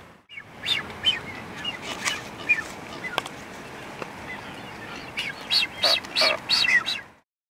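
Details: Blue-footed boobies during their courtship dance: short bursts of high, thin whistled notes, a few scattered early on, then a louder run of repeated whistles near the end, over a steady background hiss.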